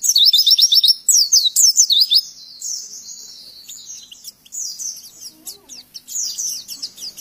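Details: Oriental white-eye on a tutor recording made to get pet birds singing, giving high, thin, rapid twittering phrases of about four notes a second, loud for two seconds and then softer chatter.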